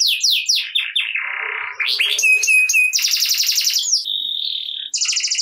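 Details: Gacor ngerek canary song meant to spur quiet canaries to sing: quick descending sweeps, a low rattling buzz, clear steady whistles, then a dense high trill, a held whistled note and a closing buzzy roll.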